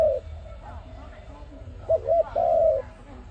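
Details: Dove cooing for a trap lure. A faint coo at the start, then a clear phrase: a quick hooked note and a long, steady coo that slides down at its close.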